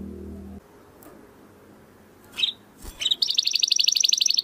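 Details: Contest-bird training recording of a domestic canary in crystal-voice style: after low background noise and a couple of short chirps, a rapid high trill of evenly repeated notes starts near the end.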